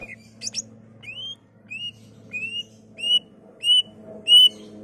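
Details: Greater green leafbird song intended to stimulate other leafbirds: a few sharp chirps open a run of rising whistled notes that grow louder, about one every 0.6 seconds, over a soft electrical hum.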